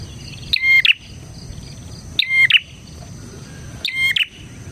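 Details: Lively bar-winged prinia song, intended as a lure for other prinias and a model song: three bright, clipped chirping phrases, each with a ringing tone and a harsh flick, spaced roughly every 1.7 seconds, with a constant high whine behind.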